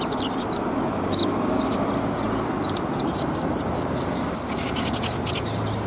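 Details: At a Tenmangu shrine in Japan on 4 March 2021, sparrows among red plum blossoms give crisp high chirps, sparse at first, then a fast even series of notes, over steady low noise.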